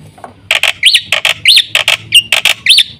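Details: A black-winged myna in full song. Broad, harsh chattering notes alternate with quick upswept whistles that rise and then drop. The pattern repeats every half second or so, loud and close.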